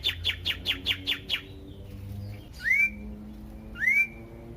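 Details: Sirtu or cipoh, the common iora, singing a loud, varied lure song for other ioras: seven rapid, evenly spaced sharp notes, a pause, then two separate rising swooping whistles.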